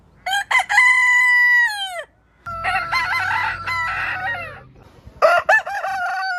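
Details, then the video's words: A rooster greets the morning with quick clipped notes leading into a long, smooth crow, then a rough, multi-pulsed crow over a low rumble, and a final wavering crow after a short silence. "Morning Hen Sound & Rooster Sound Effect - Cock Dance Suara Ayam Jago Berkokok"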